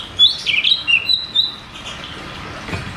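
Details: Cucak cungkok singing in the 'ngeroll tembak' style, played as therapy to lure caged birds that have stopped singing; a short run of clear whistled notes slurring up and down, then a quiet background.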